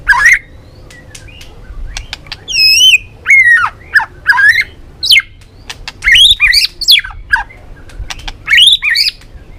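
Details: Balak 6 white-rumped shama song meant for luring birds: bursts of sharp, looping whistled notes with quick clicks between, delivered in separated phrases over about ten seconds.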